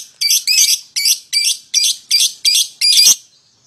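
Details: Pair of young lovebirds used as a calling lure for a rival: eight loud, rasping, buzzy bursts repeated at a steady pace about every third of a second.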